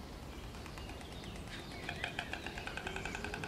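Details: White storks (Ciconia ciconia) on their nest, bill clattering: a dry, wooden rattle of rapid knocks that starts halfway through and grows louder, over a steady low rumble of wind or traffic.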